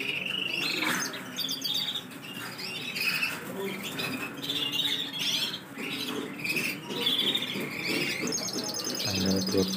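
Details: Caged silver agate canary singing actively, one of a stock of canaries noted on 23 December 2020; quick varied chirps and warbled phrases with rolling trills, closing in a fast high trill, over low background hum.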